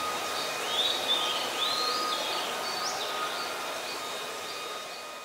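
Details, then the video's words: Oriental magpie-robin singing at Ubon Ratchathani, Thailand, 26 December 2020, captured on a Nikon P1000: a few rising and falling whistled notes early on, growing fainter and sparser, with a constant background hum. "นกกางเขนบ้าน Oriental Magpie Robin (singing)"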